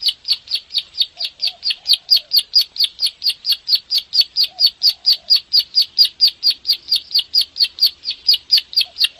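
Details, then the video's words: Bar-winged prinia master song in the nembak ngebren style, used to coax caged birds into singing: a long, steady run of sharp, buzzy chip notes repeated about four times a second, with faint lower chirps now and then. "SUARA MASTERAN BURUNG CIBLEK SAWAH/PRENJAK SAWAH (KLIK) GACOR NEMBAK NGEBREN RAPET PANJANG"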